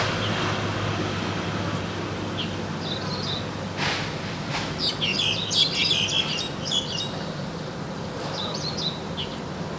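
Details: Wild crested myna singing actively: bursts of varied high chirps and squeaky whistled notes cluster in the middle seconds over steady low background hum and noise.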